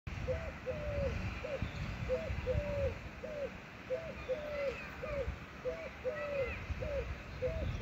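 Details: Eurasian collared dove (Streptopelia decaocto) call: soft, hollow three-note cooing, the middle note longest, repeated steadily about every two seconds over a low background rumble and faint distant chirps.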